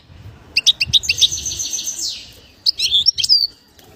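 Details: Bird whistling; a fast series of sharp chirps, a buzzy high rattle about one second long, then more squeaky whistles and chirps, with low background rustle.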